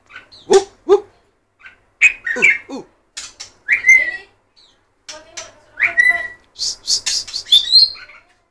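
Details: White-rumped shama singing a mix of low downward-slurred notes, sharp clicks and clear rising whistles, the phrases growing busier and higher toward the end.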